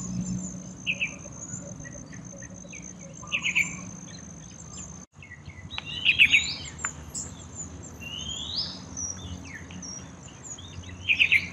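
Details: Yellow-vented bulbul (Pycnonotus goiavier) bathing in a small courtyard water pool near town, giving short bubbly, chirping phrases every few seconds, over a steady high insect drone and other scattered bird notes.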